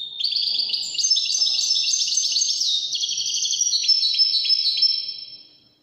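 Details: Sustained Moroccan wydani-style singing by a European goldfinch, a fast, dense, twittering warble of high notes that fades out at the end.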